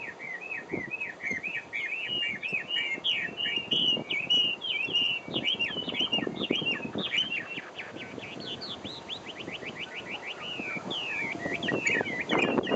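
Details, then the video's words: Chinese hwamei from Taiwan delivering a long, continuous song of fast whistled notes, slurred and rising, with a rapid trill-like series of repeated short notes near the end; steady low background noise underneath. "台灣 Hwa-Mei 畫眉鳥ガビチョウ"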